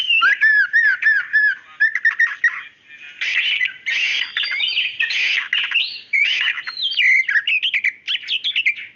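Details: Female white-rumped shama calling to the male, singing loudly and sharply: rapid series of looping whistled notes, then bursts of harsh chattering mixed with twisting fluty phrases, delivered continuously in quick varied strings.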